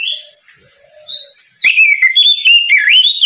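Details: Oriental magpie-robin in morning 'ngeplong' song aimed at prompting untrained magpie-robins to sing; gentle rising whistles first, then a loud, rapid run of sweet whistled and warbled notes, repeated quickly.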